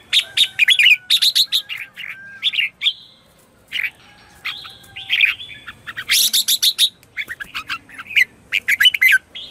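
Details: Morning song of a red-whiskered bulbul, used to lure wild bulbuls and train caged ones. Almost continuous chattering, chirpy phrases with some higher buzzy bursts and a few drawn-out whistled notes.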